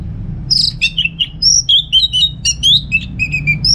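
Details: Orange-headed thrush kept in North Bali, singing as a master song for other birds: a continuous, varied stream of clear whistled notes, slurs and chips delivered about once per second, rich and unbroken.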